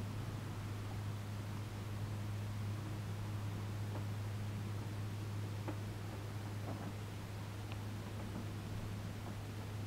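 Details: Indoors, a constant low electrical hum runs under soft rustling and a few faint clicks, with no animal voice heard.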